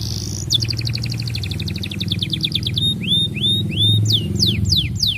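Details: Canary wooing a female, a lure for other canaries: a long rapid double-toned trill followed by a series of rising then steeply falling whistled notes, over a steady low droning hum.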